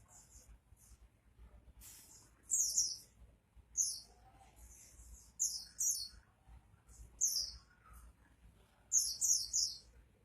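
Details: Oriental white-eye in lively 'gacor' song, soft at first, then loud bursts of high, rattling twitter roughly every one to two seconds, ending with a cluster of several quick phrases.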